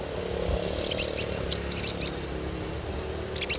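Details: Sogon (crimson sunbird) cheeping, used to encourage untrained birds to sing: small groups of very high, thin, clipped chirps in quick pairs and triplets with short pauses, over a low, soft background hum.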